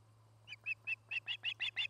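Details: Nesting Osprey in Charlo, Montana, captured by nest camera on 09-08-2018. A short burst of eight piercing whistled chirps starts softly and quickens into a steady rhythm, over a constant low electrical hum.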